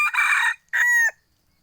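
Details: Crow of a second-generation (F2) hybrid red junglefowl kept by its owner: a harsh, rasping opening note of about half a second, a brief gap, then a longer, clear, tonal held note that ends with a short downward flick.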